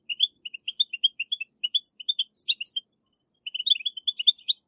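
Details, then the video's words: European goldfinch singing, used to prompt caged goldfinches to sing: a lively stream of sharp high chirps and tinkling notes, a short buzzy run midway, then a brief gap before fresh twitters. "اقوى البتبتات لتحفيز الحسون على التغريد"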